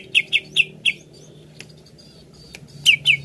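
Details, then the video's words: Greater green leafbird singing to provoke singing in another bird: four clear downslurred notes, a quiet gap with faint ticks, then two more notes of the same kind. "RUTIN PANCING CUCAK IJO ANDA DENGAN INI AGAR CEPAT GACOR"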